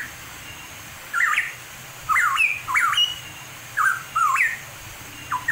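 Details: Pitohui in the wild in the mountains of East Java giving clear, slurred whistles that swoop down then sharply up, in short phrases about once a second, over a steady low background hiss.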